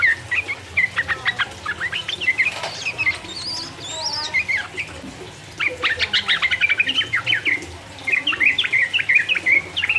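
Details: Yellow-vented bulbul song to goad rival birds: fast chattering bursts of warbled chirps, a quieter gap with scattered higher notes, then dense excited phrases resuming.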